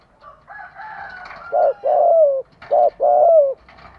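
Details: Faint buzzy background sound opens, then a spotted dove used as a decoy to draw wild doves gives two paired coos, each a short note followed by a drawn-out falling coo.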